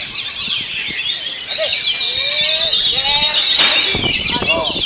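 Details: Oriental magpie-robin, known as kacer, in rolling stone style song, enduring strong wind. Rapid high twittering comes with steady whistles, while lower rising-falling swoops are repeated several times across the second half.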